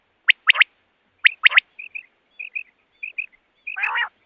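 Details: Common quail calling for trapping: two crisp triple-note phrases, then a run of soft paired murmurs and a final coarse buzzy note.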